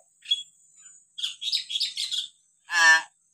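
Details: Hill myna, from a set of varied calls used to train young or reluctant mynas: a quick burst of squeaky, chirping notes, then one short, harsh, nasal squawk, over a faint steady high hiss.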